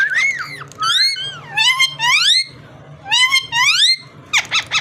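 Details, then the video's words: Parrot making rich, harmonic swooping calls that rise and fall in quick clusters, ending in a short burst of rapid warbling notes, all over a faint low hum. "Amazing parrot so cute talking and voice"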